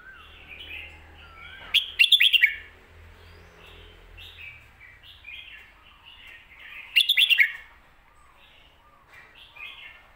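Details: Red-whiskered bulbul performing the popular Phat Kuay Tiao master-song phrasing. Two loud, jumbled, bubbly phrases come about five seconds apart, while many softer chirps from other birds fill the gaps.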